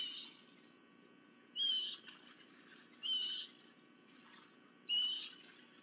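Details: Wild bald eagle at a nest in Miami-Dade County, recorded 28 July 2023; three short, high, squeaky chirping calls spaced about one and a half seconds apart over steady low background hiss.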